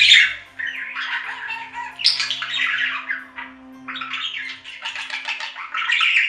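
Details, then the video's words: Pet budgerigars indoors chattering in a continuous warbling stream of scratchy, buzzy squawks and chirps, with harsher bursts near two and six seconds and faint low hum beneath. "Budgie Sounds for Lonely Budgies"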